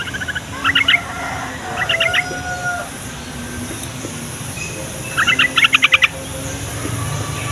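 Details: Chattering yellow-vented bulbul song, used to trigger replies from other bulbuls and to lure wild ones: short bubbly bursts early on and a longer rapid run near the end, with faint clucking and low tones behind.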